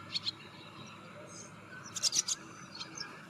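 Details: Wire-tailed swallow (Hirundo smithii) giving short, high, sharp chirps, a pair, then a quick burst of four, then one more, over a low steady background hiss.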